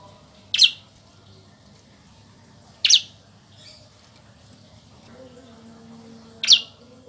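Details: Bar-winged prinia song, played as a training model for captive magpie-robins: sharp, high, downward-slurred single notes about every two to three seconds over a quiet, low background hum.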